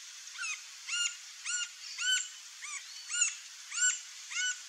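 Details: Green-barred woodpecker (Colaptes melanochloros) song: a series of sharp, high, arched notes, about two per second, loud and steady with quiet gaps between.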